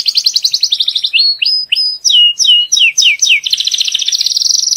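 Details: Canary song from a Belgian canary breeding room, meant to teach young birds and ready the female for breeding: rapid rattling trills give way to a run of sweeping downward whistles, then another fast high trill.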